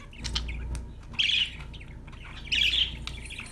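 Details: Happy budgies: two short, bright bursts of chirpy squeaks about a second and a half apart, with softer clicks between them.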